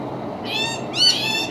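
A yellow-tailed black cockatoo gives two drawn-out, wailing calls, rising then sliding down, almost cat-like, with a third starting at the end. Faint background hum.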